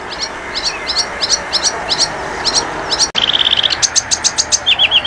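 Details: Flycatcher song meant to tutor cage songbirds: a steady series of sharp, high double chirps, then after a brief cut a quick ringing trill followed by more high chirps and short descending notes.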